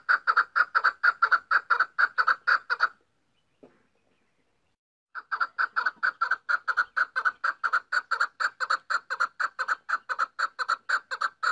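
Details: Female chukar partridge calling: a fast run of sharp, clucking chuk notes, about two per second, breaks off for two seconds of near silence, then resumes in an even, steady series to the end.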